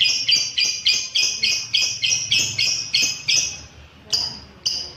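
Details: Lovebird calls played to set up caged birds for longer ngekek: about a dozen harsh, high chirps at a steady quick pace, then two more spaced notes after a pause.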